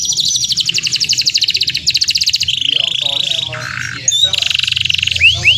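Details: Canary song used as a lure to provoke other canaries to answer: fast, continuous trills of rapid repeated notes, shifting from high to lower rolling phrases, with a brief pause and upward-sweeping whistles near the end.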